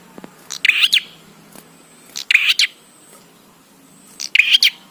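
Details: Prinia singing in lively 'gacor' style, meant to make other prinias start calling: three clipped, high, buzzy chirp bursts roughly every 1.8 seconds over a low steady hum.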